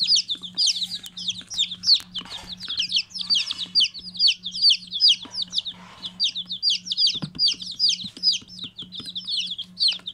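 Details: Chicken chicks in a group, their shrill descending peeps tumbling over one another in a rapid, continuous stream, with a constant low hum beneath and a brief knock near the middle.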